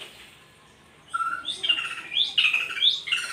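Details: Nias hill myna, a bird found only on Nias island, North Sumatra, Indonesia, singing: after a second of quiet, a loud burst of clear whistled notes with rising and falling slurs and rich overtones, delivered in quick succession.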